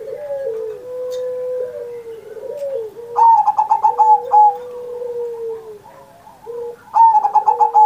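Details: Zebra dove singing keenly on Indonesian Independence Day, the recording meant to stimulate young or silent pet doves; soft low tones give way to two bursts of fast, buzzy, pulsed cooing near the end.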